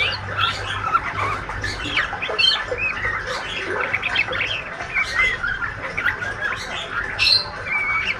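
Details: Speckled young male white-rumped shama, described as a healthy fighter, keeps up ngriwik twittering: a dense jumble of clicks, chirps and brief squeaky whistles, with a soft low hum behind.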